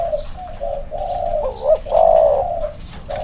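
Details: Two male spotted doves set side by side and cooing in turn; a run of low, hollow, overlapping coos that rises into a louder wavering phrase near the middle, then a long sustained coo.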